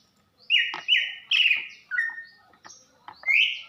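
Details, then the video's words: Female greater green leafbird, a Banyuwangi bird, giving calls that stir a male's breeding drive: five or six strong, drawn-out whistles, flat or gently falling, with the last rising, separated by soft clicks. "KICAU CUCAK IJO BETINA GACOR || NAIKAN BIRAHI JANTAN"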